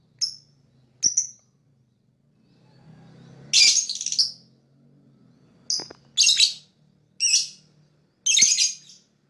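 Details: Lovebird chirping, said to attract other birds: a few clean high chirps, then louder harsh squawky bursts alternating with short pure chirps, with a low background hum.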